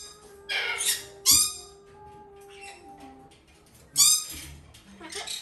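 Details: A young female red-shouldered macaw, hand-reared from a chick and domestically bred, gives harsh, raspy screeches in four short bursts over about five seconds, over a faint steady indoor hum.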